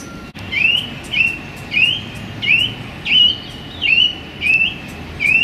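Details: Male song thrush in a small London park, singing on a sunny January day: a steady series of eight upward-sweeping whistled notes, nearly identical, repeated roughly every two-thirds of a second.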